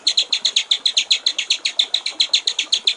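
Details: High, even rattle of rapidly repeated buzzy notes, about two and a half a second, from a white-rumped shama in the clear 'gericik air' (water-trickle) style, used as a master for training songbirds.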